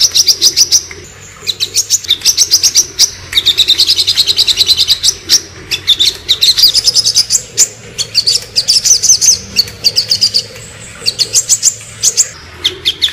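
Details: Sogon bird, ngobra-style shooting call for tutoring: long volleys of quick, piercing high chips and trilled rattles, broken by short gaps, some phrases rising and falling in pitch, no other sounds clear.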